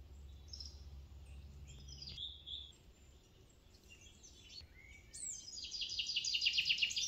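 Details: European crested tit on Monte Biaena, Trentino, Italy, calls: thin, high notes at first, then a fast, purring, rattled trill, with a faint low hum underneath early on.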